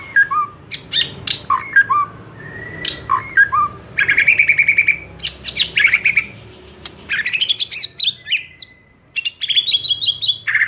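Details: Varied White-rumped shama song from a training recording to spark fierce singing: rapid clicks and chips mixed with long level whistles, trills and up-swept notes, phrases coming in quick bursts for over ten seconds.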